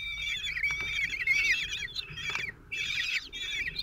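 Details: Common kestrel nest where the father feeds four 16-day-old chicks, June 26, 2023, Théding, France: overlapping drawn-out, whining harmonic calls, some strained and harsh, nearly continuous with brief gaps.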